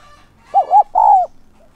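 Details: Spotted dove used as a decoy to draw in wild doves, 'son' voice in thúc and gáy gọi style: one clear low phrase of two quick arched coos and a drawn-out, slightly falling final coo, over a quiet background.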